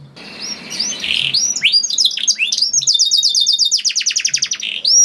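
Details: Canary singing to coax other canaries into song, opening with soft warbles over faint low hum, then building into fast rattling trills of steep descending notes and a sweeping high whistle at the end.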